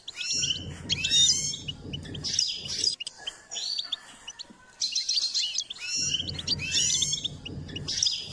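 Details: Singing goldfinch in a training session, delivering dense twittering phrases with sliding whistled notes and chattering bursts, with a low rumbling background under several phrases.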